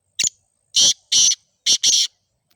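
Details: Black francolin in Sindh, Pakistan: a harsh, grating phrase of five loud notes, one short clipped note followed by two pairs of longer rasping notes, the whole run lasting under two seconds, with no other sounds.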